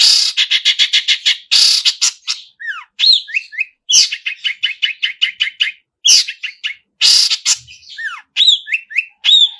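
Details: Vigorous Long-tailed shrike song full of imitated phrases: rapid stuttering trills alternate with downslurred whistles and quick twittering, sung almost without pause.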